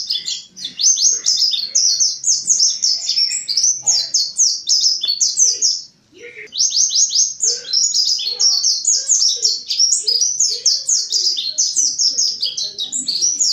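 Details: A mountain white-eye pours out long bursts of excited song used as a lure for forest-caught birds: fast strings of high, down-slurred chips, broken by one brief pause near the middle before resuming.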